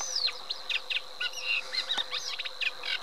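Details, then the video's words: Eurasian reed warbler song of quick, jerky chirps and short scratchy notes in an uneven chattering run, with a constant high hum behind it. "Cserregő nádiposzáta"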